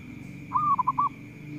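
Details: Zebra dove (perkutut lokal) noted as a vigorous singer that provokes rivals: a short, soft phrase of a gliding coo followed by three quick rounded notes, with low background rumble and a faint steady whine.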